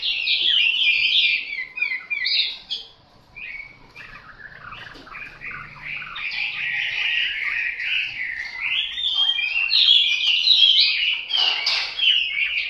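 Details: Chinese hwamei (Garrulax canorus), a kept bird, pours out a loud, rich, varied song of rapid whistled and slurred phrases, running almost without pause after a brief lull.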